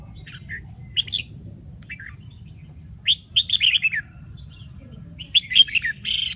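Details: Red-whiskered bulbul of the Bình Định type from Vietnam, singing with notes said to shift through eight or nine tones: short bright warbled phrases, sparse at first, then a fuller run of rising and falling notes near the end over a low steady hum.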